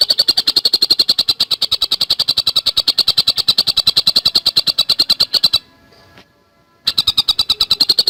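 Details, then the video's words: Javan cuckooshrike in energetic fast song used as tutor material: over five seconds of rapid high chips repeated very evenly, then a silent pause of about a second and the same quick train starting again. "Masteran Burung Tengkek Buto Gacor Speed Rapat"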